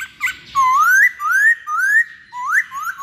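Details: Poksay hongkong, the masked laughingthrush, heard in a pancingan lure recording: loud, pure whistles rising steadily in pitch, about five upslurred notes spaced roughly half a second apart, clean and dominant.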